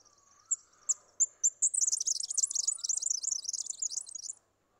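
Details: Red-backed fairywren from Australia: several spaced, very high thin notes lead into a long, fast, rattling high-pitched reel that lasts over two seconds and ends abruptly. A fainter, lower, rising whistle from another bird is heard underneath.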